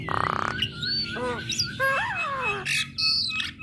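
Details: Female black-winged starling singing to make other starlings respond: a grating rasp, a sustained whistle, looping descending slurred notes and a burst of noisy chatter.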